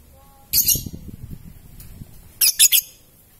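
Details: Three-and-a-half-month-old lovebird in mental training: a doubled harsh high squawk with a low clattering patter, then a rapid run of three shrill chirps near the end.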